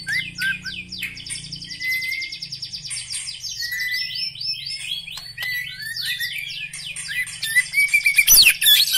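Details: Black-legged white-rumped shama delivering high, rapid twittering and buzzy rattled phrases, with a few sweeping whistles and a loud, bright ringing flourish at the end.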